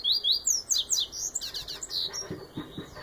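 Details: Baiano yellow-bellied seedeater giving Viviti-style song. A dense, rapid run of sharp up-and-down whistled slurs fills the first two seconds, then fainter notes trail off.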